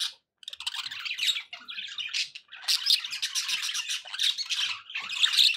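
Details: Pet budgies open with a short silence, then break into buzzy, ticking warbles and high squeaks, the chatter swelling and fading in waves with a few soft low thumps underneath.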